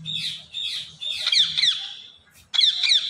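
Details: A talkative pet Indian ringneck parrot gives a string of grating, high-pitched squawks in quick succession, a short gap, then another raspy squawk. Faint low noise sits underneath.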